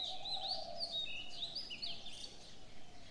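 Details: Several birds in the morning trade high, rapid chirps and short rising whistles, with a soft continuous cooing drone running underneath.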